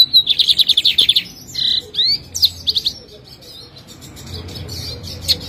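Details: Lined seedeater, an owner's bird from Jataúba, Pernambuco, called bigodinho pintor, sings a quick series of about ten high buzzy notes, then a flat buzz and swooping whistles, trailing into softer scattered chirps.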